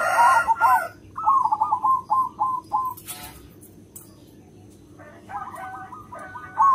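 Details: Local zebra dove with a strong voice, its song meant to draw in other zebra doves: a loud opening trill, then a series of slurred coos slowing toward the end, a brief noisy burst, and another fast rippling phrase.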